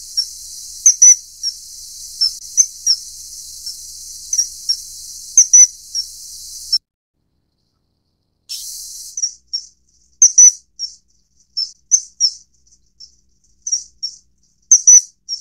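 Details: Common kingfisher, Alcedo atthis, at a feeding of its juvenile; thin piercing whistled notes repeated irregularly, often doubled, over a hissing background, broken by a silent stretch before the calls resume more densely.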